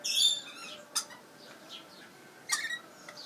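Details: A baby lorikeet, back home for food and shelter and which the owner believes has hiccups, makes two sharp, clicking hiccup sounds about a second and a half apart, over a few thin squeaky chirps in a quiet room.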